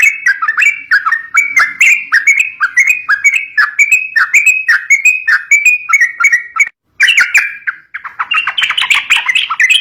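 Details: Sooty-headed bulbul sound used to lure young birds: rapid, bright chattering notes repeated about three times a second, with sharp clicks and a brief break near the end.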